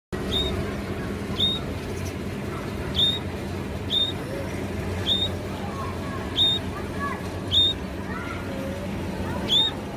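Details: Sparrow chirping: short, sharp, high chirps repeated roughly every second, eight in all, with fainter lower sliding notes from other birds in between, over a steady low background rumble.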